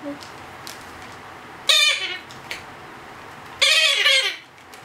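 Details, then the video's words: Two-month-old Blue-headed parrot chick at hand-feeding time gives two loud hoarse squawks with a quavering, falling edge, about two seconds apart, with faint taps in a quiet room. "アケボノインコのさし餌の記録 Blue-headed Parrot(Pionus)"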